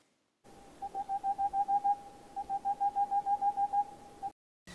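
An owl gives two quick runs of clear, even whistled toots, about six a second, over a faint steady hum.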